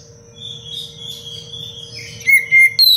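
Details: Oriental magpie-robin song meant for training other birds: soft drawn-out whistles at first, then two or three loud, sharp whistled notes near the end, with a constant low hum behind.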